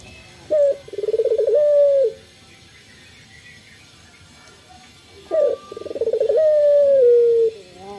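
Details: Morning song of a male local Barbary dove: two full coo phrases, each opening with a brief note, then a vibrating rolled stretch and a long drawn-out note that sinks at the end, separated by several seconds of quiet.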